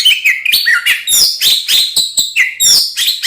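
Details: Oriental magpie-robin (kacer) in fighting song meant to stir other magpie-robins into aggression: dense rapid chattering and whistled trills, harsh and bright, in quick bursts.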